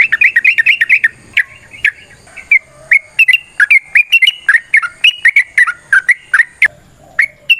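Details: Yellow-vented bulbul in extended, fast fighting song meant to stir rival birds to sing: dense run of bubbling, warbled notes at the start, then steady rhythmic bursts several per second throughout, in a quiet background.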